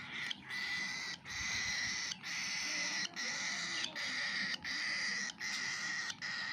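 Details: Baby cockatiel eating, with a continuous harsh rasping that breaks off briefly about once a second and then resumes.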